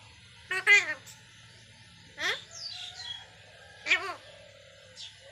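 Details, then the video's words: Indian parrot kept at home as a pet, talking in short, raspy, speech-like bursts with ladder-like arching tones: three main utterances spread over five seconds, plus a few fainter squeaks between them. "ଶୁଆ କେମିତି କଥା କହୁଛି ଦେଖନ୍ତୁ//parrot talking"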